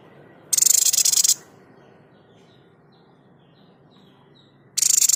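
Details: White-chested babbler 'tembakan' shot sound for tutoring cage birds: a loud, fast, grating rattle under a second long, a pause with faint distant chirps, then another rattle begins.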